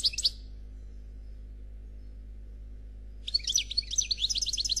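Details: Khalwi-style song from a European goldfinch described as black and singing without faults. A brief chirp opens, then silence, then a lively burst of quick, high, tinkling notes and repeated twitters to the end.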